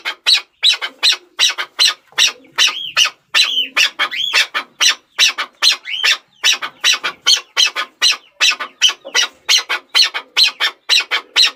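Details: Chukar partridge, known locally as chakor, calling in a fast run of harsh, clucking notes about two and a half per second, with a few rising whistled squeals mixed in partway through.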